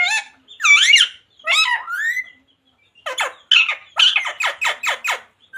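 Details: Parrot talking, taught phrases like radhe radhe and sita ram; a few shrill, sliding speech-like syllables, a pause, then a rapid series of harsh, raspy squawking notes.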